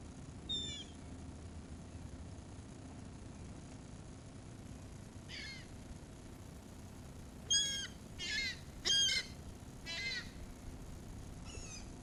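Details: Seagulls calling while being fed, recorded with a 360 camera: scattered bursts of harsh, harmonic squealing cries, loudest in clusters around the middle, over a steady low rumbling background.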